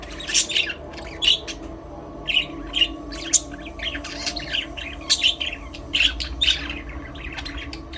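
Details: Caged budgies in their aviary, singing and playing: sharp, high chirps spaced about half a second to a second apart, some with a squeaky metallic edge, over a faint constant background hum.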